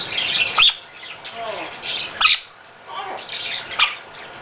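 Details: Male half-moon conure kept at a bird rescue, said to be very loud most of the time: harsh squawks repeated about once a second, with softer chatter between them, in a small room with background noise.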